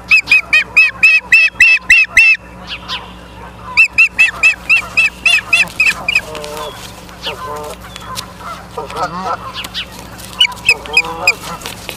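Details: Ospreys at a nest in Charlo, Montana, late night of 30 August 2023: series of sharp, high, evenly repeated chirps about four per second in two bouts, followed by lower, wavering honking calls.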